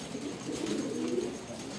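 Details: Racing pigeons during summer breeding preparation, giving soft, low, murmuring coos that run as a steady hum through the clip, with faint background hiss.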